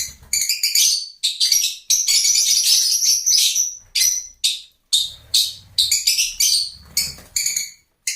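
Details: Shrill lovebird calls in choppy bursts: harsh squeaks and rasping chirps repeated about every half second, with one longer chattering run in the middle and a soft low rumble in places.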